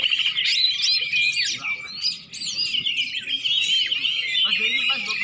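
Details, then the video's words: Warm-up singing of a greater green leafbird ahead of a contest: continuous bright, high chatter of twittering notes, quick whistles and scratchy trills that barely pause. "pemanasan cucak ijo sebelum lomba"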